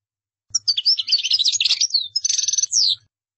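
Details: European goldfinch song in the style called qaddara: a fast, bright run of twittering chirps and liquid trills, with a buzzy stretch near the end, lasting about two and a half seconds with no other sounds.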